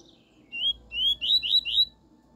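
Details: Pure 'tui tui' song of a double-collared seedeater, played to teach a young bird. A soft lead-in is followed by five loud, upslurred whistles, the last three close together, over a quiet background.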